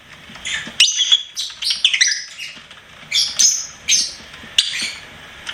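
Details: Lovebird chirping and singing as a pet: bright, high squeaks and chirps in quick clusters, a busy run early, then single sharp bursts roughly every half second to second.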